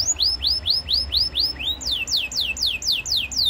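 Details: A canary sings a training phrase of evenly spaced, bright arching whistles, roughly three a second, switching midway to steeper downward-swept notes, over soft background hiss.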